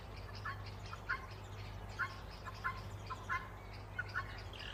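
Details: Bulbuls singing in an orchard: soft, short chirping notes repeated about every half second to second, quiet over a steady low hum and background hiss.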